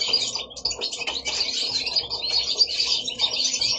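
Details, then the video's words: Indoors in Italy, pet goldfinches pour out a fast, jangling warble of high twitters and sharp tinkling notes, sustained without pause throughout. "Goldfinches singing at home"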